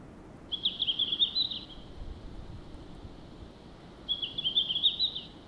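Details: Red-flanked bluetail, a forest songbird. Two short, bright warbled phrases of about one second each sit at a steady high pitch, about three seconds apart, over quiet background.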